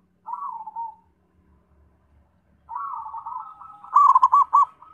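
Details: Zebra dove song: a soft low coo, a pause, then a longer wavering phrase ending in a burst of rapid bouncing coos, with faint low rumbling underneath.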